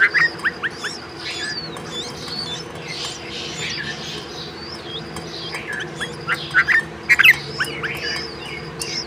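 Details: A female bulbul calls to her two chicks while feeding them. Short bright chirps open the recording, a quieter stretch follows, then a burst of several quick chirps arrives late. Faint distant twittering and a low hum continue throughout.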